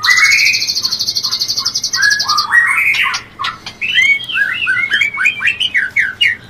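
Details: White-rumped shama mating sound, used to stir breeding urge: a fast run of repeated high buzzy notes, then rich slurred whistles and rising-falling phrases at mid pitch.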